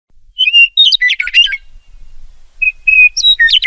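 Two song phrases from a meadowlark, each opening with clear high whistles and tumbling into a rapid, gurgling warble; nothing else is heard.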